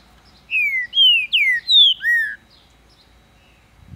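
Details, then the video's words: Captive green-winged saltator (trinca-ferro) raised in Ribeirão das Neves, Minas Gerais, Brazil, singing strongly: five loud clear whistled notes over under two seconds, mostly falling slurs with one rising phrase, then quiet. "Trinca-ferro cantando muito quente! Abrindo canto!"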